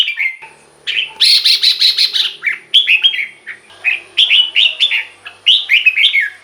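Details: Red-whiskered bulbul in a cage, its song played to rouse other birds: a harsh chattering burst, then a run of quick whistled, bubbling phrases repeated in short groups with brief pauses.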